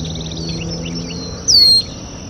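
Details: Red-winged blackbird calling at a local water basin: a single loud, clear whistle slurring sharply downward, lasting about a third of a second, over a steady high insect-like whine and faint low background rumble.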